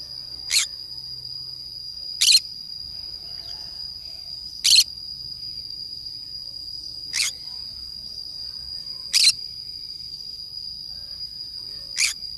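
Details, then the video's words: A green-cheeked conure plays alone in the forest, calling with six short, scratchy screeches spaced about two to two and a half seconds apart against a continuous high, ringing whine like insects. "green cheek conure parrot sounds"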